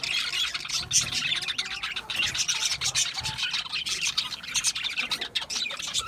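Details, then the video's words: Budgerigar parrots chirp in steady, high twittering, with many birds calling at once in a rough, warbling texture and occasional sharper tweets. "Cute Budgies chirping Sounds"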